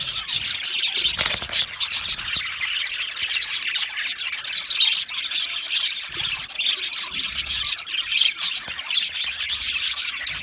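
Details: Australian budgerigars in an aviary, a dense flock chorus of fast, high chirps and scratchy squawks overlapping continuously, with a few louder bursts near the start.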